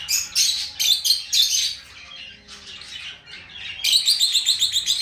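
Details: Loud lovebird chirping: quick runs of sharp, high, clipped chirps, then a softer, buzzier stretch, and finally a rapid, evenly repeated series of bright chirps.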